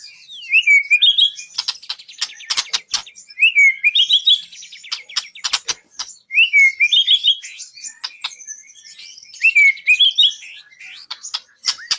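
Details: White-rumped shama on a training recording for songbird contests: a short looping whistled phrase repeated about every three seconds, mixed with sharp clicks and knocking sounds.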